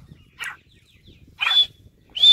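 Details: Grey francolin (Sindhi teetar) calling: a brief rough note, a pause, then rasping notes that rise into high, sustained whistles near the end. The background is otherwise quiet.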